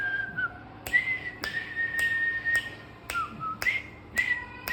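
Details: A cockatiel, or possibly its owner, gives clear, steady whistled notes, some with a short dipping slur, between sharp clicking snaps.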